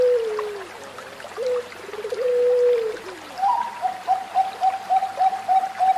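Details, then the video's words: Zebra dove song from a Bangkok or local bird used as a training model: smooth drawn-out notes give way to a quick string of short, level coos, roughly eight in three seconds, with faint hiss behind. "Anggunan Terapi Perkutut Bangkok Dan Lokal"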